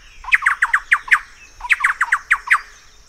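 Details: Thrush-like Wren recorded in Peru giving two bursts of harsh, throaty, chugging notes, each burst about six notes in quick succession, split by a short pause; quiet background.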